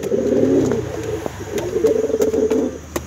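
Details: Male brown pigeon cooing to attract his female: two low, throaty coo bursts, the second longer, over a low hum and sharp clicks.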